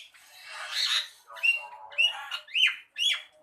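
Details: Javan myna song: a raspy, scratchy opening, then a run of short grating phrases, each ending in a sharp whistled note that rises and falls, repeated about four times.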